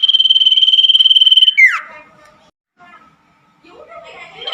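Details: Common iora singing at night, a recording meant as therapy for caged birds that no longer sing: a rapid, steady high trill ending in a downward-swooping note, followed by quiet soft chatter and another trill beginning.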